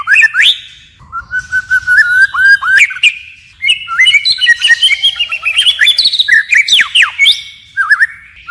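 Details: White-rumped shama singing in a wild, forest style and switching voices continuously: loud, clear whistles in quick succession, with sweeping up-and-down notes, sharp rising slurs and short trills, varying from phrase to phrase.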